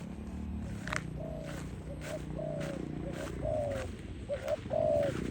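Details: Dove at dusk, close and clear, giving a run of hollow, level coos, some short and some drawn out and slightly falling, spaced irregularly, with a low hum and a few clicks behind.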